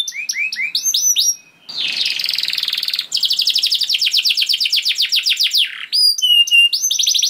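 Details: Canary song meant to prompt other canaries to sing: upswept whistled notes, a dense buzzy roll, then a long fast trill of downswept notes and rising whistles.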